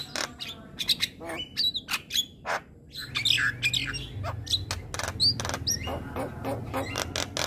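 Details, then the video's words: Morning song of a Javan myna, made of rapid dry clicks and rattles broken by bright, brief whistled slurs. The pace is uneven and there is a faint low rumble in the background. "Suara Kicauan Jalak Kebo pagi Hari"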